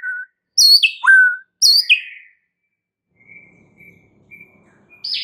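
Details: White-rumped shama singing as a provoking lure: a few loud high downslurred whistles in quick succession, then faint thin notes and a final rising buzzy phrase.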